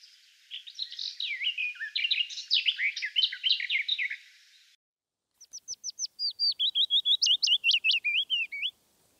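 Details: Garden warbler singing a rich, rapid, continuous warble of varied chattering notes for about four seconds; after an abrupt cut, a separate series of evenly repeated sharp notes runs into a fast twittering phrase.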